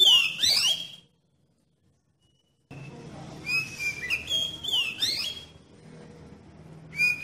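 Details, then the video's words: Lure sound of an oriental magpie-robin to set other magpie-robins singing: a burst of bright sliding whistles, a silent gap, then softer rising and falling whistled phrases over a low hum. "Suara Pancingan Kacer Paling Ampuh Bikin Kacer Lain Cepat ON dan Nggacor"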